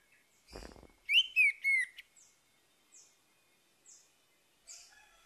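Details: Orange-headed thrush song played in the morning to prompt a bird that has stopped singing: after a brief low thump, three loud slurred whistles in quick succession, then a few faint, short, high notes spaced about a second apart.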